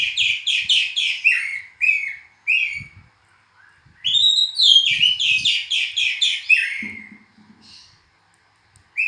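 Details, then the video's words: Oriental magpie-robin (kacer) delivering rapid bursts of repeated whistled notes, pausing, then a longer rising and falling varied phrase, with brief silences and faint low clicks between phrases. "kicauan burung hitam putih(kacer)"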